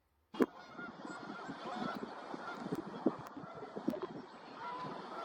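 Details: A few Canada geese floating on water in Pennsylvania's Susquehanna Valley in spring give loud, nasal honks, spaced irregularly over a murmur of softer calls.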